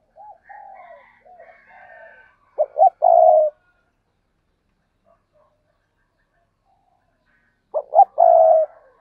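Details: Spotted dove repeating its cooing phrase twice, about five seconds apart: two short stabbing notes then a prolonged mellow coo, preceded by softer wavering low notes, with silence between.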